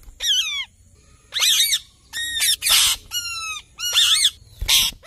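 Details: Ringneck parrot repeatedly screeching, loud raspy squawks with falling tails, about one every second, some notes noisier and broader than others.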